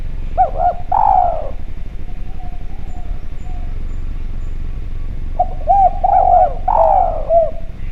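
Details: Javan spotted dove calling on a lure recording: a burst of hooked coos and a long falling note, a pause of several seconds with faint soft cooing, then another run of short coos ending in a long slur.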